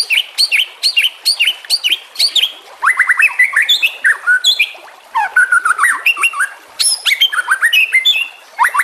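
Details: White-rumped shama song with nature sounds and trickling water, used as masteran to train other shamas: sharp repeated chips at a steady beat, then rapid trilled notes, rising whistles and varied chattering phrases.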